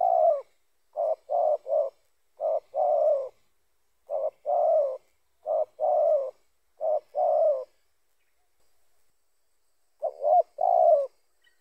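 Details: Spotted dove (tekukur) cooing, a recording meant to lure other spotted doves during bird trapping in Indonesia: low hollow coos in short phrases of quick clipped notes ending in a longer purring note, repeated about every second, clean background.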